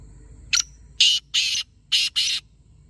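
A black francolin gives a short harsh note, then two pairs of loud, grating, rasping notes in a rhythmic phrase. A faint low hum lies underneath.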